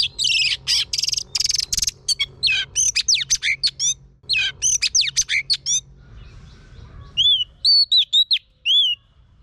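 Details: Female Oriental magpie-robin singing to train a male: a loud, fast sequence of buzzy trills and sweeping whistled notes for six seconds, then a quieter pause and several clear arched whistles repeated.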